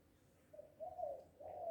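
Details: Spotted dove, known locally as tekukur, balam or anduhur bolon, described as happy and calling loudly; soft low cooing in three notes, the last two longer and louder, in a quiet indoor-sounding setting.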